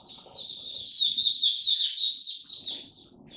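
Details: An Oriental white-eye kept as a hobby bird sings in display, 26 November 2022: a fast, continuous, high-pitched jumble of thin chirps and warbled notes that swells in the middle and fades at the end.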